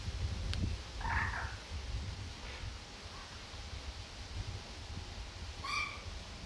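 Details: Juvenile Western marsh harriers, one of four youngsters, at RSPB Fowlmere near reedbed and mere, early morning 23 August 2015, give two thin, squealing whistled calls several seconds apart over steady low wind rumble.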